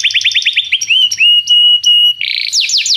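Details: Canary song meant to tutor a young canary: a quick repeated trill, then long steady whistled tones with sharp high clicks, ending in a burst of fast buzzy notes and falling slurs.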